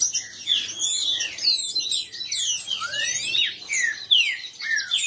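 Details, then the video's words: Several captive green-winged saltators sing against each other in a song contest, with loud, clear whistled phrases, some rising and some falling, packed into a busy, overlapping chorus. "trinca ferro disputa e baderna"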